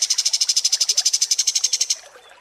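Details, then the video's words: Pied triller song on a long tutor recording for contest birds: a fast, even trill of about nine high, buzzy notes per second for two seconds, then stopping abruptly. "MASTERAN KAPAS TEMBAK"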